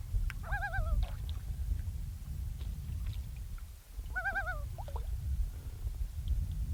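A Common Loon gives two short, quavering, wavering calls about four seconds apart, over a steady low rumble of wind and a few faint clicks.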